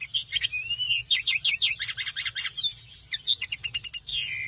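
A common linnet sings a fast, twittering run of dry chirps and buzzy trills, with a brief pause before resuming; faint low hum beneath.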